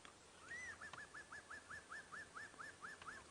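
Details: Lizard Buzzard, one of two seen on a morning sunrise safari drive on 5 August 2016, perched atop a tree, calling: a long rising whistle, then a fast run of about a dozen short, clear, fluty notes, roughly five per second, over faint hiss.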